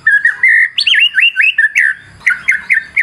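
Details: White-rumped shama singing a varied fighter lure song: a steady clear whistle, then looping slurred whistles, a short pause, and a rhythmic series of four bouncing notes.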